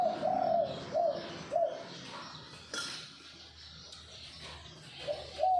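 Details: Zebra dove of the Bangkok kind with a double "kuk" coo, giving a series of short, soft, evenly spaced cooing notes, then a pause before more notes, with room hum behind.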